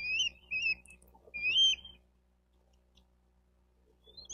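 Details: Bald eagle on its nest in Miami-Dade County, Florida, nest camera, June 4, 2023, 12:35; a few high, whistled squeaky chirps in the first two seconds, then near silence before a faint final note.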